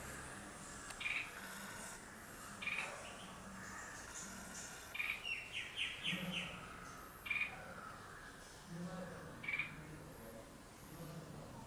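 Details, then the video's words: Red-whiskered bulbul singing: short, bright chirped notes repeated about every two seconds, with a quick rippling trill midway. The bird sounds distant over steady background hiss and low rumble. "Red-whiskered Bulbul bird singing"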